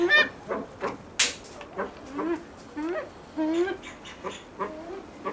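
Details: Blue eared pheasant at a pheasant farm, giving scattered clucks, one sharp loud click and a couple of drawn-out wavering harmonic calls.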